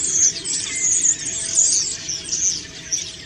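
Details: Preening common starling delivering autumn song: loud bursts of squeaky chatter and bright whistles, with one lower whistled note, over about three seconds.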